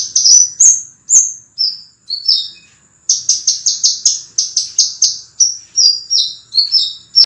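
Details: Scarlet minivet song for training cage birds, a dense, sustained run of clear, sharp high whistles and downslurred notes delivered rapidly with few pauses, loud and bright; a faint steady high tone sits beneath.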